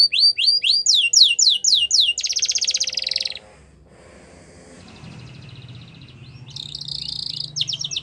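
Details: Singing yellow canary in the wild: quick descending high notes, then a dense buzzy roll, a quiet pause with soft background hiss, and a final buzzy phrase.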